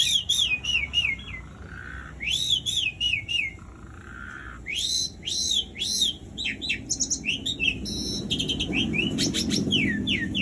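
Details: Asian pied starling in lively song, used as a lure to start silent starlings singing. Clear slurred whistles rise and fall in quick repeated groups, later mixed with sharp high notes, over a low background rumble.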